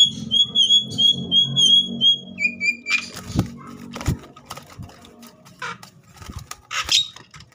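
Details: Javan myna singing agitatedly to stir other mynas into song. Clear, pure whistled notes repeat about three times per second, then drop to a lower whistle. Scattered clicks and soft noisy sounds follow.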